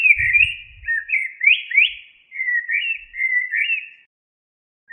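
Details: Common blackbird song: a run of clear, warbled whistled phrases sliding up and down, steady for about four seconds, with a faint low thump near the start.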